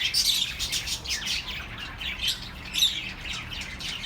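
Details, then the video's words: Busy chorus of small birds, intended to calm lonely pet birds, with harsher squawk-like chirps among quick high tweets, pulsing louder roughly every half second. "The best relaxing birds sounds for your lonely birds"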